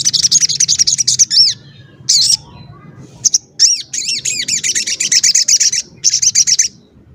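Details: Sogon in strong voice, played to provoke wild or kept sogon into calling: long runs of rapid, high, rattling chirps broken by sharp arched whistled notes, then more fast chattering bursts.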